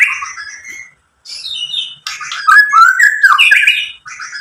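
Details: White-rumped shama song for provoking other shamas: short whistled notes, a pause, then a dense scratchy, chattering run with rising whistles.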